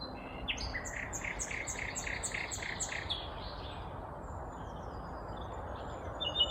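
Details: A vagrant Common Nightingale sings a fast run of about ten loud, repeated chirping notes, then quieter phrases, over a steady low rumble of wind or distant traffic; morning, 19 May 2021, Kvarnbo suburb, Uppsala, Sweden.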